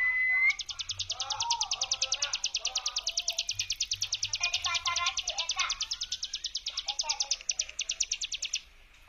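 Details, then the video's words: A Hill prinia (ciblek gunung) gives its long, high, buzzy "ngebrem" trill of rapid pulses, about eight seconds, swelling in waves, a song meant to provoke other prinias to answer; soft lower chattering from other birds. "CIBLEK GUNUNG NGEBREM GELOMBANG"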